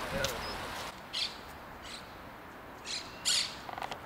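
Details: Iberian green woodpecker in Casa de Campo, Madrid, December 2017, giving a few harsh, scratchy squawks spaced irregularly over four seconds; the faint quieter background calls are black-headed gulls and monk parakeets.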